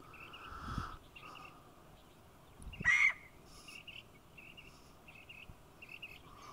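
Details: Scaled quail with repeated short, buzzy high notes in quick pairs, spaced about every half second. A louder, harsher single call cuts in midway, and a lower humming burr sounds at the start and end over faint background rumble.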